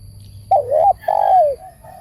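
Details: Spotted dove, a decoy bird for trap-cage luring, giving a short wavering coo then a longer, smooth, falling coo; faint low hum throughout.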